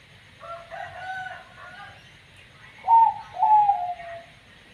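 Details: Zebra dove, banyu mili katuranggan type, with an unusual voice: soft warbling notes first, then a loud cooing phrase of two quick descending notes that stretch into a drawn-out coo, over light hiss.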